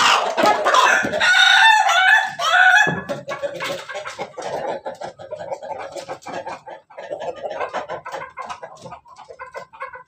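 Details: Pelung chicken crowing at night: a loud, harmonic crow with a wavering pitch that lasts about three seconds. It is followed by rapid clucking and scratchy background noise.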